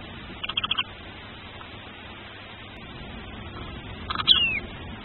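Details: Newly hatching tawny owl chick, the first chick of a nesting pair, filmed on a nest camera: a quick run of faint high cheeping notes, then after a pause a single thin squeaky call sliding downward, over steady low background hiss.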